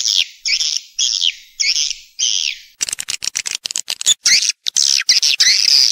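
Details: Swiftlet lure call for drawing birds into nesting houses: five separate, evenly spaced high chirping phrases, followed by rapid clicking pulses that merge into a loud, continuous twittering chorus.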